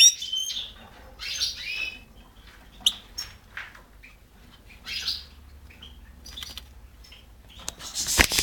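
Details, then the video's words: European goldfinch giving scattered high, twittering chirps with quiet gaps between them, followed by a burst of loud noise at the end. "Stiglic,Grdelin, Stieglitz, Goldfinch, Cardellino, Chardonneret, El jilguero"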